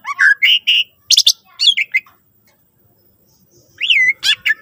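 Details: Greater green leafbird song played to encourage other leafbirds to sing: loud whistled notes, some rising and some falling, alternating with harsh buzzy bursts, then a short gap before a rising whistle and a harsh burst.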